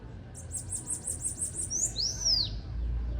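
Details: Bananaquit singing: a rapid run of about eight very high, thin, buzzy notes, then two sharp, high slurred whistles sweeping downward, over a low background rumble.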